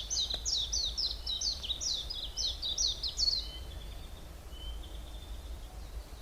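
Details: A bird in the Hallerbos deciduous forest, Belgium, sings a quick run of high falling chirps for about three seconds, then thin, level whistles fade out.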